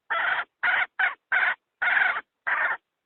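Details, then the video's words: Hen used as a decoy to pull wild fowl into traps, calling six separate raspy clucks at a loose, uneven pace, one noticeably longer than the others. "Tiếng gà mái nhảy bổi nhất 2020!poj qaib seev tuaj ceev tshaj nawb...!"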